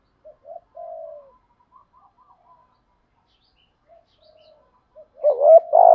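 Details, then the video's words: Spotted dove lure call meant to provoke cooing, in the 'thổ' voice style: soft, faint low coos early on, then a loud burst of deep, slightly rising coos at the end. "tiếng chim cu gáy kích bổi nhanh gáy nhất"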